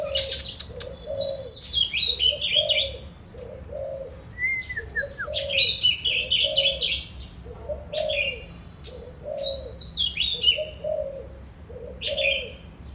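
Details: Daurian redstart chattering song: bursts of high, quick, scratchy chirps and short descending notes, with low soft dove coos repeating steadily underneath.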